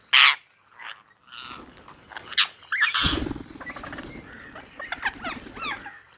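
A ringneck parakeet gives a sharp, piercing shriek, then a run of varied chattering and squawky notes over a faint low rumble.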